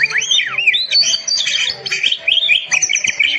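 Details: Oriental magpie-robin song used to train quiet caged birds: looping swept whistles open the phrase, followed by scratchy chattering bursts and clipped repeated notes, continuous and loud.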